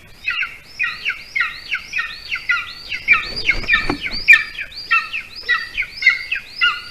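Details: Golden eagle nest in Latvia, 8:42 p.m., prey delivered by the adult male; dense, almost continuous chirping with stacked, downslurred squeals about two per second and brief clattering rustle midway.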